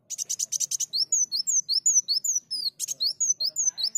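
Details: Sunbird song used as a lure: a rapid burst of buzzy, high notes, then a quick run of sharp, down-slurred whistles repeated several times a second, with one more buzzy burst near the end.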